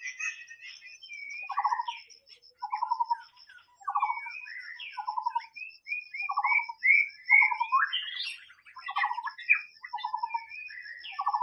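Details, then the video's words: White-rumped shama singing in the wild, repeating a low, buzzy, falling note about every second, interleaved with higher clear whistles and short warbled flourishes, over a continuous high thin whine. "SUARA BURUNG MURAI BATU SUARA ASLI DI ALAM BEBAS"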